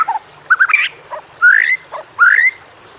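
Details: Shama training song, white-rumped shama, used to stir lazy birds into singing: short mellow whistles followed by two clear rising slurred whistles about a second apart.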